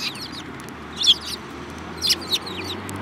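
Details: Eurasian tree sparrows, one yellow-beaked among several, 7 March 2018: soft overlapping twitters with a few louder chirps spaced about a second apart, over a low steady hum.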